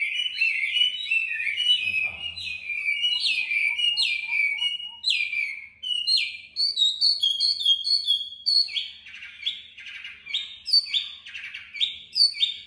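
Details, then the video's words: Hanoi-kept tame Chinese hwamei singing in contest style: a continuous, rich stream of loud whistled phrases, repeated slurs and rapid varied notes with no pauses. "Mi thuần MCB99x8A đẹp hót đấu giọng hay tốc độ mỏ tốt"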